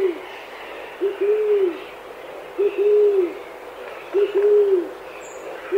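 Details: Chilean pigeon (Patagioenas araucana) in Chile giving deep, hollow coos: a short note, then a longer drawn-out one, repeated about every one and a half seconds over a soft background hiss.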